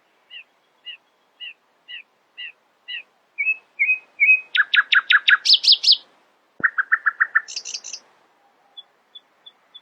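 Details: A nightingale singing in the early morning gives a varied phrase: spaced paired chirps, then fast rattling notes, high piercing whistles, a rapid buzzy trill and faint high ticks, with no other sounds.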